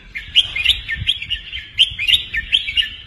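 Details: Red-whiskered bulbul kept in a cage, an accomplished doubled-phrase 'beun' singer used for tutoring young birds; lively run of sharp, clear whistled chirps and short slurred notes, repeated in rapid succession throughout.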